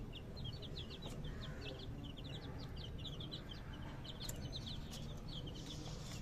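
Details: Several baby chicks chirp continuously, their thin, high, downward-slurred peeps tumbling over one another at a fast pace above a steady low hum.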